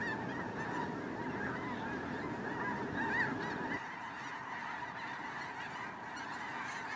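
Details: Migrating snow geese: a thick chorus of overlapping nasal honks that drops suddenly in loudness partway through, the massed yelping continuing more softly afterwards.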